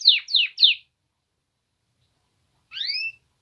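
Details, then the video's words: Male Polish canaries singing: three quick, sharply falling whistled notes, a pause of about two seconds, then a brief phrase of two rising, upswept notes sung together, with a quiet background. "Polish male canaries singing"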